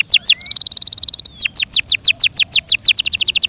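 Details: Yorkshire canary singing loudly: a few steep descending notes, a rapid high rattling trill, then a series of sharply falling whistles ending in another fast trill.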